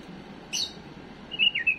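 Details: A pet bulbul sings, offered as a tutor song for young birds: one sharp, high chirp, then a quick phrase of three or four clear, slurred whistles that dip and rise, over a faint steady hiss.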